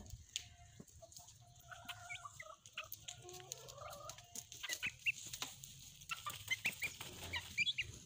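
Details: Hens kept as pets, playing alongside their chicks, utter drawn-out, wavering clucks and murmurs early on, then bright, high chick peeps grow busier toward the end, over a faint background hum.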